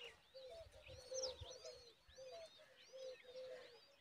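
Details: Adult common babbler feeding a chick a large worm; repeated flat, nasal calls in short groups with many high, thin, curving chirps above them and soft low rustling.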